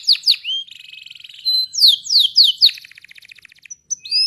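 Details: Canary in full song with a long rolling style (ngerol panjang, cengkok mewah): high downward-slurred whistles, a fast buzzy trill, more sweeping notes, then a rapid rattling roll ending in short rising whistles.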